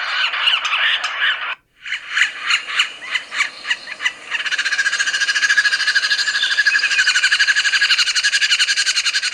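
Yellow-bellied Sapsucker giving harsh, nasal squealing calls, first in loose bursts and then a fast, steady run of scratchy notes, about four per second.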